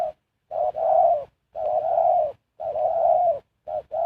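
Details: Spotted dove song used as a decoy to lure wild birds into a trap: low, throaty cooing phrases about a second long, repeated after short pauses, with one brief clipped coo near the end.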